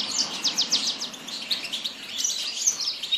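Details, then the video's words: Yasmin bird in song: a fast series of evenly spaced, high ticking notes opens the phrase, followed by a jumbled twittering warble. "تغريد طائر ياسمين"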